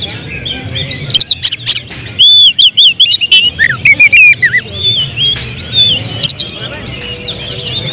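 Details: Caged oriental magpie-robin, a prospect for song contests, delivering loud, varied whistles and rapid rising-falling trills, with sharp clipped notes in bursts, emotion turning into intense shooting phrases; light background hum.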